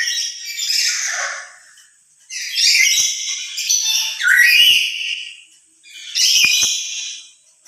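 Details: Emotional loud calling from a lory, louder when alone than with other lories: about four harsh, ragged screeches, each roughly a second long, with short gaps between them.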